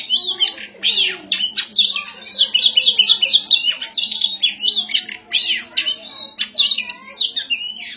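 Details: Fighting white-rumped shama (kacer) delivering fast repeated chattering phrases, with clipped whistled notes and harsh bursts in quick succession. A steady low hum runs beneath the song.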